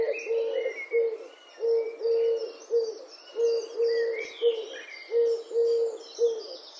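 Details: European turtle doves in Wittlich, Germany, 2017: low, soft purring coos in steady phrases of two or three notes, repeated throughout, with high chirps and twitters from other birds above.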